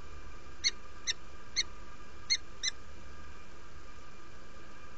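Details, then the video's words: Inviting calls of a female peregrine falcon just arrived at the nest, Derby, UK, 07:47 on 17 February 2017: five short ringing chips spaced about half a second apart, then quiet hum. "Female arrived to the nest , invites"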